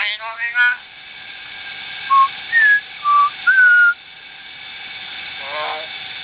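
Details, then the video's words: Bird singing at Kasem Island Resort in Kanchanaburi, Thailand: four brief clear whistles at varied pitches, the last one longer and gently falling, set against a constant buzzing insect drone. "Singing Bird"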